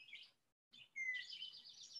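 An Indigo Bunting sings bright, high notes, a short burst, a pause, then a clear downslurred whistle and a run of quick, sweet, slightly buzzy notes.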